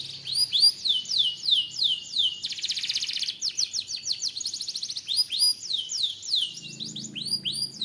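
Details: Vigorous canary song alternating rising-then-falling whistled notes with fast mechanical trills and a dense buzzing roll, delivered loudly and almost without pause, about three notes per second.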